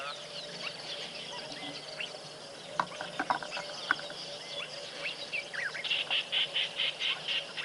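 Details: Red-backed Shrike at Tembe in February, screeching in the background: harsh, grating screeches in a quick run of about eight bursts near the end, over a busy chorus of other birds, insect hum and a steady drone.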